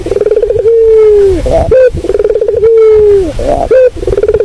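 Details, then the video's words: Barbary dove giving its purring coo for bird luring: a stuttering run of pulses flows into a long, steady, gently falling note, then a short high accent, repeated twice. "Inilah bunyi Suara burung puter yang sangat merdu buat pikat"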